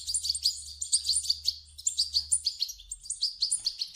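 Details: Goldfinch chicks begging loudly, sound played to stimulate an adult European goldfinch to sing; rapid, repeated shrill chirps in quick pulsing succession with a steady low hum behind.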